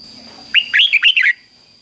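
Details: Caged red-whiskered bulbul delivering one quick doubled-style song phrase, fik-jik-fok, meant as a model for young birds to learn. About six clear, rising-and-falling whistled notes in under a second over a faint steady high hum.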